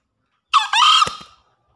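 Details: Green junglefowl lure call, used to get newly caught or reluctant birds calling: one hoarse two-part crow, a short sharp note then a longer rising, harmonic squeal that fades out, in silence.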